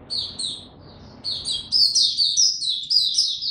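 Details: White-eye in a cage opening its song on 29 April 2022, in power down mode: a few spaced high chirps over faint background hum, then a dense run of rapid, piercing warbled notes.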